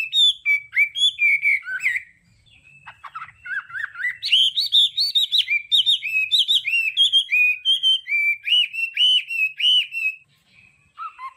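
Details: Hwamei with đảo âm song used to train a bird's voice: fast, varied whistled phrases, a short break, then a long series of bright, rapidly repeated, rising and falling whistles.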